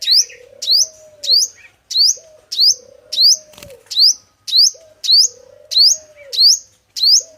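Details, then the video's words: Trapping-lure song of a male five-coloured sunbird: evenly spaced, piercing, upslurred chirps about every 0.6 seconds, with a faint low hum and one brief thump. "Tiếng chim Hút Mật 5 màu trống chuẩn đi bẫy"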